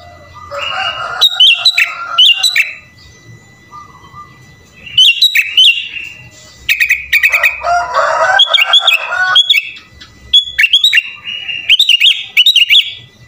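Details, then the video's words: Sooty-headed bulbul in energetic 'full isian' song. Quick bright whistled phrases alternate with a dense, scratchy chattering stretch in the middle, broken by short quiet gaps. "SUARA BURUNG KUTILANG GACOR FULL ISIAN"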